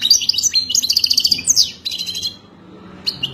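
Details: Moroccan European goldfinch, described as wild type, singing a fast, high twittering song of tinkling notes and short buzzy trills, loud in the first half and then fading into quieter scattered twitters, with a brief burst near the end.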